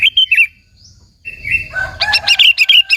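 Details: Sooty-headed bulbul singing, a recording used to lure and excite other bulbuls: a few bright chirps, a brief lull, then rapid, evenly spaced bubbly notes over a sustained whistled tone.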